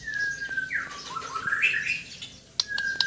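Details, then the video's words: Sabah white-rumped shama in relaxed song: a long level whistle, then slurred rising and falling whistled notes over noticeable background hiss, ending with sharp clicks. "Kicauan murai batu Sabah : Suara dan aksi santai"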